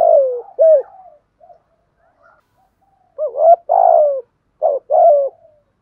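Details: Thổ-voice cooing of spotted doves, cock and hen, meant to rouse decoy birds: a falling coo and a hooked note, a quiet gap, then a rising note, a long rough downslurred coo and two short paired hoots.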